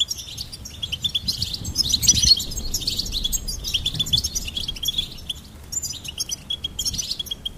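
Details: Steady high goldfinch twittering, with rapid repeated chirps and buzzy bursts that continue with few pauses.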